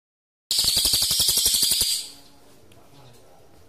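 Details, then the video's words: Pygmy bushtit (cililin) in lively rolling 'ngerol' song, recorded as a tutor for magpie-robins: a dense, buzzy, very high trill of rapid even pulses lasting about one and a half seconds, then quiet background hiss. "Cililin Gacor Ngerol Cocok Buat Masteran Murai Jeda 5 Detik"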